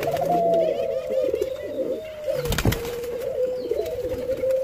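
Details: Continuous, slightly descending mid-pitched tonal calling from hand-fed Jamaican white-crowned pigeons, with a loud thump of handling midway before the steady tone resumes.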